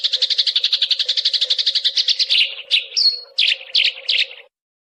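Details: Sparrow song for training songbirds: a fast run of high chirps, about three per second, then slower, louder and more varied chirps and a short whistled note, over a steady low hum.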